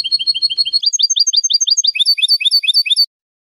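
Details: Caged European goldfinch in clean song, recorded at a Casablanca bird market in Morocco in 2023: rapid high twittering trills of repeated notes, shifting through several phrase types and rising into thin, very high elements before stopping abruptly after three seconds.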